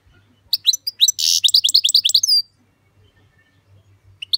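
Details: European goldfinch singing: a quick run of bright, tinkling high chirps with a short buzzy rasp in the middle, about two seconds of twittering, then near silence with a faint low hum and a last chirp at the end.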